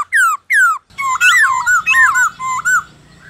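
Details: Black-throated laughingthrush singing a wild-type song, played to train captive birds: two loud falling whistles, then a rich run of warbled, looping whistled notes that fades out.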